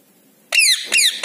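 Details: Indian ringneck parakeet giving loud shrill descending screeches, two long harsh notes followed by the start of a third.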